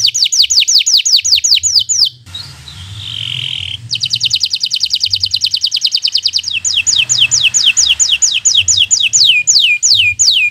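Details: Bottle-green local canary singing as a master for birds learning to sing: quick falling whistled sweeps, a brief soft hiss, then a fast even trill leading into slower repeated downward-slurred notes.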